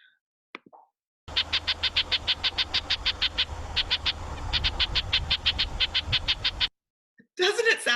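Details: An angry Red-breasted Nuthatch gives its territorial or warning call, a fast run of nasal, tinny "yank" notes, about five per second, with a low hum underneath; a voice follows.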